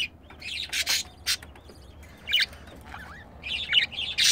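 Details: Male and female budgerigars kept together as pets, during mating; scattered scratchy chirps and short squeaky notes separated by pauses.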